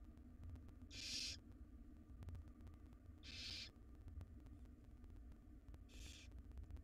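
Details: Barn owl chicks in a wild nest box beg from their mother as she delivers a jird. Three rasping hissed screeches, each about half a second, come roughly every two and a half seconds over a low electrical hum.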